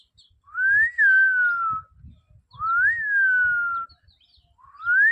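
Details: Pet parrot giving a clear whistled phrase that rises then slowly falls, repeated about every two seconds, three times, with soft low thumps and rustling underneath.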